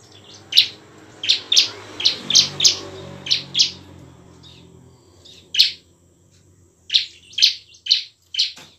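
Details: Bar-winged prinia, a lively, emotional singer, played as a lure to make lazy or young prinias sing and fight: loud, sharp chirped notes in quick bursts, some buzzy, repeated in clusters with short pauses between.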